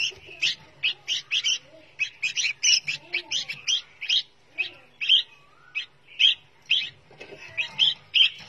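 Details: Young red-whiskered bulbul, a caged bird about to go to a new owner, giving loud, short chirps in quick bursts of two or three. The bursts repeat throughout, with a few softer, lower warbled notes between them.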